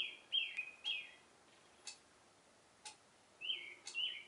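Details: Oriental reed warbler that came to a cherry tree in the morning sings a love song in short bursts of harsh, grating, down-slurred notes, with a few sharp ticks in the pauses between phrases.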